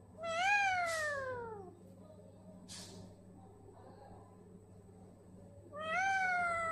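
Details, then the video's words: Baby parrot saying "mitthu", two loud, bright harmonic calls that rise and then slide downward, one at the start and one near the end, over a steady low indoor hum. "Baby Parrot Talking Mitthu mitthu"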